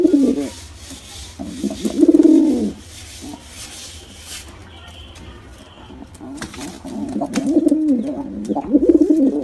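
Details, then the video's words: Male and female pigeons in a combined attack sound. Two bursts of low, throaty, rolling coos, each lasting about a second, separated by a quieter stretch with faint murmuring. "Pigeon Sound Effect || Male & Female Pigeon Combo Attacks Sound"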